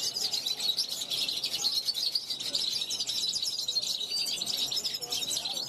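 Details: European goldfinch hatched in 2021 practising its song on a balcony to call passing wild goldfinches. It produces a nonstop, fast chatter of sharp, metallic, high-pitched notes.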